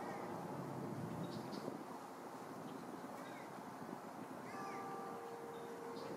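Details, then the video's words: Three green heron chicks in a nest at Lake Hollingsworth, Lakeland, Florida, fighting for food and grabbing at a parent's beak; faint, short, arched squeaky calls come now and then over a steady low rumble of background noise. "Green Heron Chicks Fight for Food"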